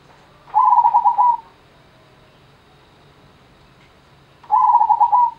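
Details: Two quick, purring trills of soft coos from a zebra dove, each just under a second, spaced about three seconds apart against faint background hiss.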